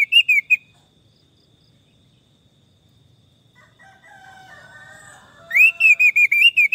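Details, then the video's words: Orange-headed thrush whistling bright, clear notes in short bursts near the start, then a rapid run of repeated whistled notes at the end. A quieter stretch in between carries softer, lower warbled tones. "Terapi Anis merah stres dan macet bunyi"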